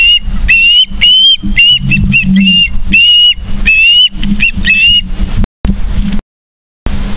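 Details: Osprey calling at the nest in Charlo, Montana, on 31 August 2023, 09:36, via a live cam: urgent, repeated high whistles with short rising slurs, several per second, then brief dropouts, all over a low mains-like hum.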